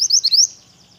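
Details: One second of mantenan (pied bush chat) song: four quick, piercing rising whistles in a tight burst that fades out.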